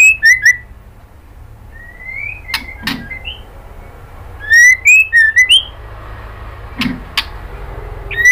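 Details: Female white-rumped shama calling a male, giving short rising and falling whistled notes in small groups, mixed with occasional sharp clicks and brief harsh chatter.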